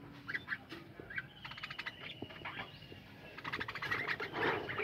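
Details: A captive budgerigar colony in an aviary. Scattered chirps give way to rapid, buzzy chattering bursts that grow louder and denser toward the end as more birds join in.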